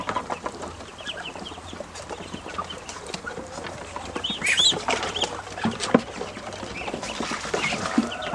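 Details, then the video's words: Growing ducklings calling more often when hungry: a scatter of short, high, arched peeps, sparse at first and then crowding together midway, with irregular knocks and rustling throughout. "Ducklings have grown and are making more sounds, especially when hungry"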